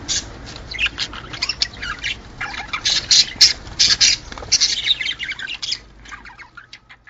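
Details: Budgerigars heard in a recording meant to encourage mating: dense, rapid scratchy warbling and squawks in uneven bursts, fading to scattered soft chirps toward the end.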